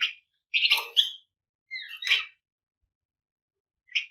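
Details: Flamboyan bird singing to provoke other birds into song: a buzzy chattering burst, a rising slurred note with rough trill, then a single short chirp after a pause.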